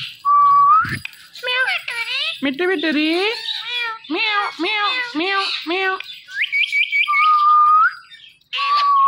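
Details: Indian ringneck parrot kept as a pet, talking toward a phone it likes to watch: a long run of short, choppy, voice-like syllables framed by steady whistles, then quick high chirps and a final flat whistle.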